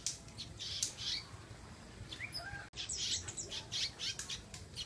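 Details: Pet Atlantic canary pouring out a rapid, high warbling song of chirps, trills and short rising whistles, cut off sharply for an instant partway through, then resuming with dense buzzy rolls.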